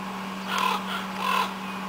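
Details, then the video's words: Two coarse, drawn-out caws roughly three quarters of a second apart from black crows in pines on Afognak Island, Kodiak, Alaska, over a constant low electrical hum. "BLACK CROWS"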